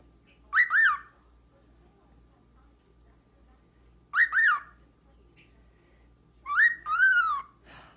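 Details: A talkative lutino cockatiel gives three short bursts of clear, rising-and-falling whistled notes, spaced a few seconds apart.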